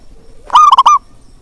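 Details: Zebra dove call meant to rouse doves that are lazy to sing. One loud, short, rolling coo of a few quickly joined notes, with quiet background.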